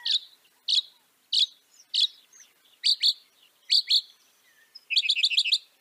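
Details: Northern mockingbird song: a series of evenly spaced high chips, then paired notes repeated three times, ending in a fast stuttering run of about six notes.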